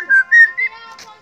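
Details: Helmeted friarbird (koak kaok) kept as a pet, whistling nonstop while being teased: three clear whistled notes in quick succession, each slightly higher than the last, followed by faint trailing sounds in a small room.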